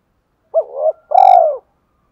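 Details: Decoy spotted dove calling wild birds at morning time with a crisp double coo followed by a longer, mellow, falling coo. A sharp click sounds during the long note.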